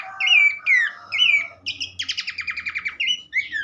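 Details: Abbott's babbler singing, played to coax other babblers into song: three slurred, arching whistles, then a fast rattling series of harsh stacked notes and a final rising whistle.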